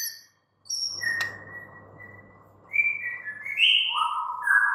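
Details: White-rumped shama, a caged bird, giving a level whistled note followed by rising and falling clear whistles, with a faint low hum in the background.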